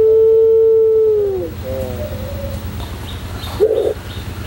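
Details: White puter pelung dove holding one long, pure, low coo for more than a second before it fades downward, then quieter wavering notes and a brief soft call.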